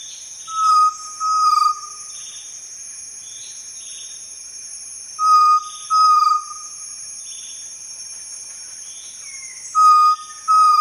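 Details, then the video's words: Forest quail giving clear, level whistled notes in pairs, a short note then a longer one, the pair repeating about every four seconds over a steady high insect hiss. "FOREST QUAIL BIRD"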